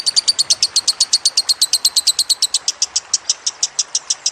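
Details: Lovebird training-song recording with trickling water added: about 28 sharp, high chirps in quick succession, roughly six per second, each a bright squeaky note, steady throughout.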